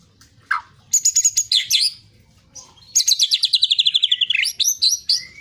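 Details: White-rumped shama song used to provoke other birds into singing: clear whistled notes, then a fast run of about fifteen rapid repeated chips descending slightly, ending in sweeping high whistles.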